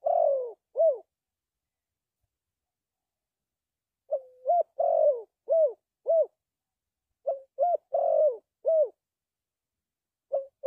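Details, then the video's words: Spotted dove cooing as a trapping decoy, repeated phrases of a short introductory note, a rough downward-sliding coo and arched soft notes, phrases spaced a few seconds apart over a silent background. "The Sound Of Spotted Dove is very good"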